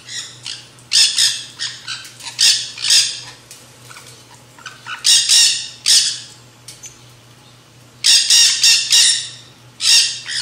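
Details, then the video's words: Nanday parakeets crowd a backyard feeder eating seed mix, screaming in noisy bursts of rapid, harsh squawks separated by short lulls, with several birds overlapping and a low electrical-sounding hum behind. "Backyard Nanday Conure Parakeet, Feeding Frenzy, Parrot, Black-Hooded , Chips, song, Sounds,"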